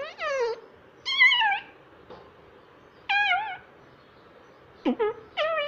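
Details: A pet parrot talks indoors, repeating "mummy" again and again: strong, harmonic, speech-like syllables with wavering pitch, each about half a second long, separated by short pauses and a few soft clicks.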